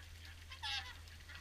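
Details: A single clear honking call rises out of a quiet swan flock at an evening feed at Caerlaverock, with fainter calls behind and a steady low hum.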